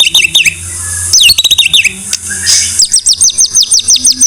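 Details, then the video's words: White-rumped shama singing for use as a tutor song: varied loud whistles, then a burst of descending slurred notes, ending in a rhythmic series of about a dozen sharp repeated whistles, with a faint low hum beneath. "Masteran MURAI BATU No.1"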